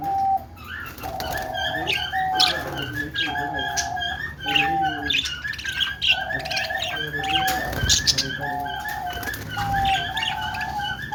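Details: Budgerigars making happy sounds, warbling in a busy stream of chirps, clicks and short whistled notes, with repeated flat whistles and scratchy chatter throughout.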